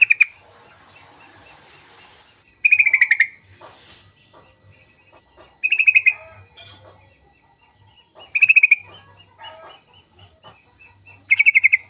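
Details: Vigorous sooty-headed bulbul song used as a lure for quiet birds. Short, rapid rattling bursts of harsh chattering notes come about every three seconds, with softer twitters and scratchy sounds between them.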